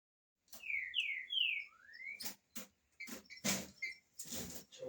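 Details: Green-winged saltator (trinca-ferro) singing four clear, loud whistled notes that slur downward and then upward, followed by clattering knocks, rustles and noisy bursts.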